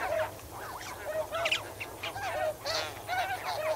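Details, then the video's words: Snow goose flock calling while swimming and wading in water, close to the microphone: overlapping nasal honks and yelps from many birds, some rising and falling, a steady low hum underneath. "Snow Goose. MCU Calls From Flock While Swimming And Wading In Water."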